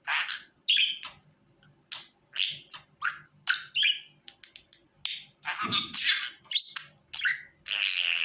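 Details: A budgerigar calling, used to lure a pet budgie onto the hand: separate bright chirps and squeaky whistles early on, building to denser buzzy chatter, with a faint low thud near six seconds.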